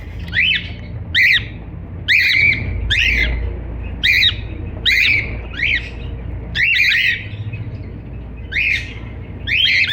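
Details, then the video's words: Cockatiel singing and chirping indoors: loud, sharp, slightly harsh chirps that rise and fall, about a dozen in ten seconds at uneven intervals, over a steady low hum. "Cocktail singing and chiriping"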